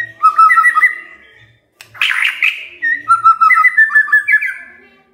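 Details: Magpie-robin song played as a lure to get a quiet bird singing: clear whistled phrases of steady and slurred notes, repeated in quick runs, broken at two seconds by a brief harsh, scratchy burst, then whistling resumes and rises toward the end.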